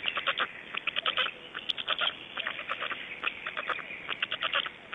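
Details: Black storks in Estonia at dawn, 26 May 2012 at 05:15: clattering comes in irregular short bursts, roughly 75 per minute, with faint sharp ticks between them.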